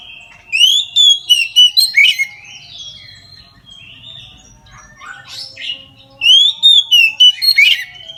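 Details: Full song of an Oriental magpie-robin at midday, used to coax others of its kind into singing: rich whistled phrases rising and falling, punctuated by sharp chips, with softer chatter in the pause.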